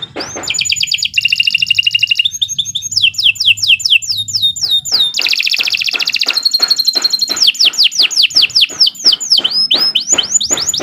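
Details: Canary singing a long, persistent master song used to train young birds: varied tours of fast rolling high trills alternating with series of sharply downward-sweeping whistled notes, bright and unbroken throughout.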